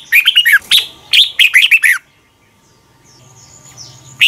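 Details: A Thai caged Red-whiskered bulbul gives two quick phrases of liquid, rolling notes for training birds to copy, then a silent gap with a faint thin whistle in the background before the next phrase begins.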